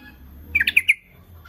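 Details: Rival-luring call of a Sooty-headed bulbul: a rapid, bubbly phrase of five short notes, slightly rising and falling, delivered within half a second over a low background hum.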